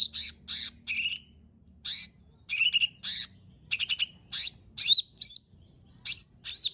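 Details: Cucak ijo mini song meant to stir a lazy lesser green leafbird into singing: bold chirps, rapid stuttering note clusters and looping whistled slurs, coming in irregular bursts.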